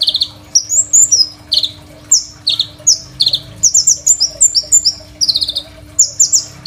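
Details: Crimson sunbird singing a full, varied song used to train other songbirds: high, sharp notes in rushed clusters, downslurred chirps and thin rising squeaks, with short gaps between phrases.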